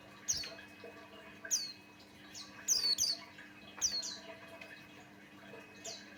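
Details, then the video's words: Buxtoni white-eye lure song: spaced high chirps dropping in pitch, about one per second, one tight double near the middle, over a faint constant hum. "Suara Burung pleci Buxtoni pancingan Ampuh"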